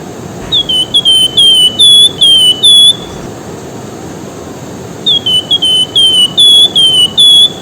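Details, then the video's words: Javan whistling-thrush whistling a lure song for other cage birds: two bursts of clear, slurred high whistles, each phrase of six or seven notes, separated by a pause of quiet hiss. "WERGAN JAWA BURUNG BERSIUL PENGHIBUR PEMANCING COCOK BUAT MASTERAN"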